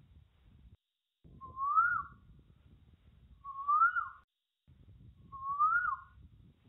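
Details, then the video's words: An Asian koel in a forest gives three loud, clear, rising whistled 'koo-ooh' notes about two seconds apart, over a low rumble of background noise. "Koel Bird Sound"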